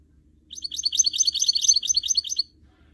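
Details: Goldfinch mule, the canary-goldfinch hybrid, pours out a lively two-second twittering phrase of rapid high notes against a quiet background.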